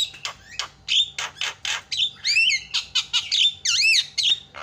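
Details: Javan myna calling to stir other mynas into calling, a dense run of harsh chattering notes, metallic squawks and bent whistled glides repeated rapidly, about two per second.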